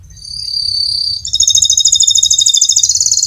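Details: Canary giving a long rolling song, used as a lure to get other canaries singing: a second of steady high whistled tones, then a fast, bright rolling trill that pulses several times per second.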